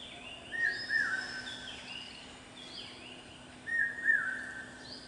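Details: Common Hawk-Cuckoo (Brainfever Bird) on a campus gives a shrill whistled phrase of short notes, heard twice about three seconds apart, with thin chirps from other birds behind.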